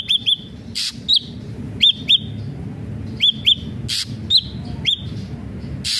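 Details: Ashy drongo singing actively, used as a lure to set other ashy drongos singing: paired short, hooked whistled notes with a thin trailing tone, repeated in small groups and broken by harsh rasping bursts.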